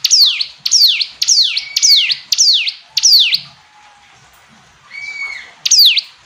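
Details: Hill prinia delivering six loud descending high notes in a regular beat, then a pause with a faint softer call, ending on one more sharp note.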